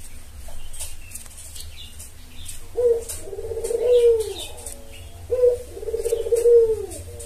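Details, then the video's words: Spotted dove lure for calling males: two similar low coo phrases about two and a half seconds apart, each a short note then a longer falling coo, with faint chirping birds behind. "Pancingan Tekukur Memanggil Pejantan"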